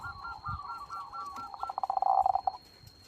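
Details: Zebra dove (perkutut) song: a run of beaded coo notes that speeds up into a dense, loud stuttering burst before stopping abruptly, over a faint noisy background and a steady high tone.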